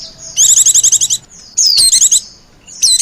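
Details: White-eye calling as a lure for wild birds: one high, rapidly pulsed chatter lasting under a second, then a thin falling whistle leading into a shorter buzzy burst, and another whistle at the end.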